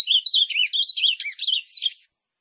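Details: Ultramarine grosbeak, locally called azulão, singing to encourage another bird to sing: a hurried, jumbled sequence of warbled notes rising and dipping, lasting about two seconds before stopping cleanly.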